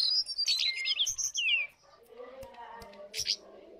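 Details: Lesser shortwing singing a rapid, high, jumbled warble of sweeping notes for under two seconds, followed by quieter, lower chattering and a short high burst near the end.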